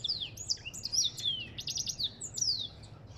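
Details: Brief, bright stretch of African goldfinch song, with sharp sliding whistles mixed with rattling buzzy phrases in quick succession over faint background hum.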